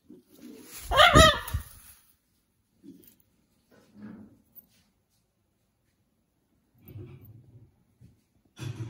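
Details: Pet blue-and-yellow macaw kept at home indoors: one loud, harsh, harmonic-rich squawk lasting about a second, followed by quiet gaps, soft rustles and faint household knocks.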